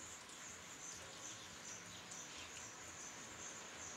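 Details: High, thin chirping from a third brood of black redstart chicks being fed by their parents in summer, 21 July 2012, the short notes repeating rapidly and unevenly above a constant hissing background.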